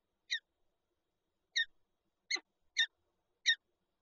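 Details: Recorded at a Peregrine falcon nest with an egg in Lublin, Poland, 19 March 2022: five separate rasping, buzzy notes, spaced unevenly across four seconds in otherwise quiet surroundings.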